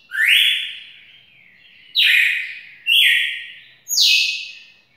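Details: Red-cowled cardinal from a breeder, singing loud, clear whistled phrases. Four notes sweep sharply upward and then hold level before fading, spaced about a second apart, with no other sounds.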